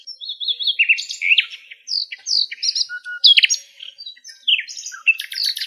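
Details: Wild nightingales recorded in their natural habitat in Greece: a rich, varied song of whistled phrases, quick rising and falling slurs, short trills and sharp high chirps following one another without pause, no other sounds heard.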